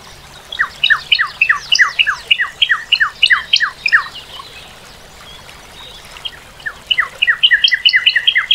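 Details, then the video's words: Northern cardinal song of loud, clear down-slurred whistles repeated about three times a second, a pause, then a second series of the same falling notes. "Cardinal:Découvrir le chant et la beauté du Cardinal du Nord"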